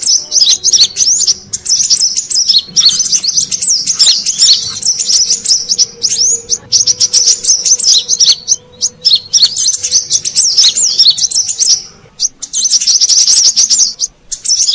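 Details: Long sequence of brown-throated sunbird lure sounds for wild birds: piercing, rapid twitters and wavering squeaks in near-constant bursts, easing briefly around twelve seconds before resuming.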